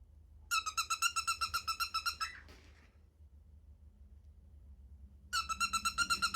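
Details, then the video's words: Creaky, squeaking pulses from a pet cockatiel, repeated rapidly at about four per second, break off into a long quiet gap, then resume at the same steady rhythm. "I think my cockatiel needs oiling"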